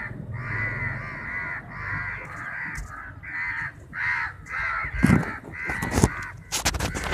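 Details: Crows in a big fight over chapati, dozens gathered: drawn-out, grating caws repeated about once a second, several birds overlapping, with sharp knocks and clatter toward the end.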